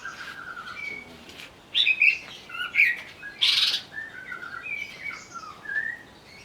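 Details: Agitated greater green leafbird used as a lure to set off song: scattered whistled slurs and chirps with a few loud, harsh bursts in the middle, quieter notes trailing off.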